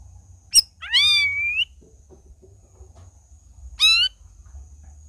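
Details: Black-crested bulbul singing 'gacor': a brief high chip, then a long rich whistle that dips and slides upward, with a shorter rising whistled phrase later; faint low rumbles and scattered small clicks underneath.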